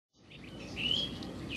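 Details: A flock of thrushes gives a few thin, high, drawn-out whistles in quick succession, one slightly sliding, over a low rumble, on an October night at a songbird trapping site in Castellón province, north of Valencia, Spain.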